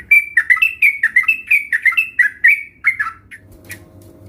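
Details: Sooty-headed bulbul song played to lure a sluggish bird into singing; a quick series of rising and falling bubbly notes for three seconds, then a click and a low hum.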